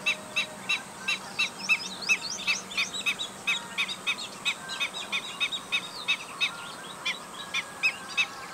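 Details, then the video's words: Black-winged stilt giving squeaky, piping chek notes repeated in a fast, uneven series, mixed with overlapping higher twittering chirps from other calling birds, over a low steady hum. "call of black winged stilt | call of Himantopus himantopus | शेकाटया | गजपाँव"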